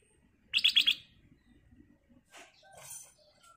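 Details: Chatty kutilang emas (black-crested bulbul) lure song: four quick, ringing notes in a tight row, then softer rustling and a couple of faint, hissy chirps.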